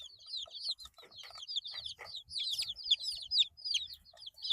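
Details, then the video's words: Eight-day-old chicks cheep busily, high downward-gliding peeps overlapping in quick succession, with rustling, tapping and a soft low rumble underneath. "Chicks Chirping Sounds - Baby Chicken Sounds"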